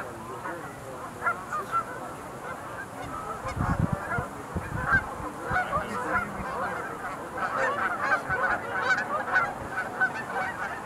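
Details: Sandhill cranes calling en masse at the Montezuma National Wildlife Refuge Visitor Center pool, 20 November 2021; rolling, trumpeting calls swell in the second half, with low thumping handling or wind noise near the start.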